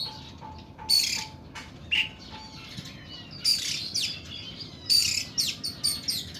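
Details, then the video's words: Harsh, forceful song of an oriental magpie-robin (kacer kuku bima) in the long, rough 'nembak' manner: scratchy bursts with thin whistled notes, growing into a cluster of rapid rasping phrases near the end. "KACER KUKU BIMA NEMBAK PANJANG & KASAR"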